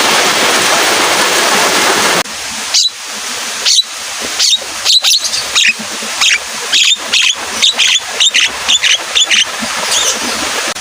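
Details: Javan myna singing in the rainy season, roused by the sound of rain: after a stretch of rain-like hiss, a run of sharp, high whistled and buzzy notes repeats in quick bursts over steady background noise.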